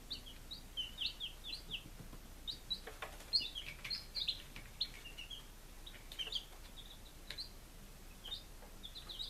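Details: A group of five-day-old chicks in Lunenburg, Massachusetts, on 23 July 2017, keeping up continuous high, two-toned peeping in quick runs, with scattered clicks and scratching.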